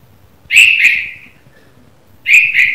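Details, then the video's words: A red-vented bulbul chirps in the morning, giving two clear, loud double notes with a brief fading tail and a pause of well over a second between them. "Red Vented Bulbul Chirping Sound - The Morning Sound Of A Bulbul Bird"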